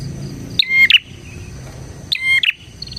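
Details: Bar-winged prinia, recorded as a lure for other prinias: two quick phrases of piercing, metallic chirps, each ending in a harsh buzzy note, about a second and a half apart, against a soft continuous high hum.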